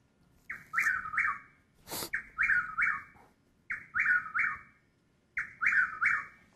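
A Chuck-will's-widow repeats its rolling, whistled three-part phrase, chuck-will's-WIDow, about every one and a half seconds. There is a single sharp click between phrases.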